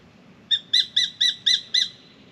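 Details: From a mango tree in Australia, a spangled drongo protests at a pied currawong with six sharp, metallic, evenly spaced notes, each with a bright ringing tone.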